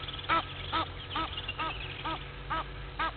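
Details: Blacksmith lapwing at Gowrie dam waterhole, Djuma Game Reserve, Sabi Sand, South Africa, at 06:45 on 03/02/21, giving sharp, ringing, slightly nasal notes, about eight in three seconds at an uneven pace, over a low rumble.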